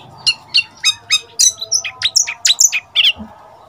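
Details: Young Oriental magpie-robin decoy, seven months old, singing against wild birds: a run of evenly spaced sharp notes about three per second, followed by higher, varied whistled chirps.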